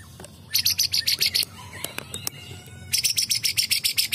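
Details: Excited white-rumped shama, singing strongly again: a short run of rapid buzzy rattle notes, a pause with isolated clicks and faint tones, then a second longer rattling burst at about seven notes per second.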